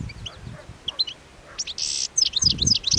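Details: European goldfinches in winter eating plane tree seeds by the Anapodaris river, 17 January 2021: lively high twittering and a harsh buzzy note, fast chattering calls, with rustling and knocking from feeding in the branches.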